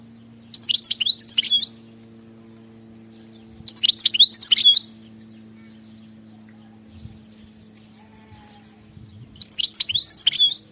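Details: Khalawi-style European goldfinch song, delivered as three separate bursts of fast, high tinkling twitters, each about a second long, spaced roughly three seconds apart by near silence with a steady low hum.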